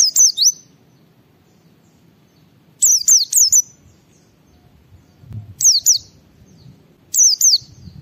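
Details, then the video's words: White-eye in 'ngalas' song, played so other white-eyes respond and sing: four separate bursts of two to three shrill, downward-sliding whistles with long silent gaps between them; faint low background murmur. "Suara Burung Pleci Gacor membuat Semua Pleci langsung ngalas"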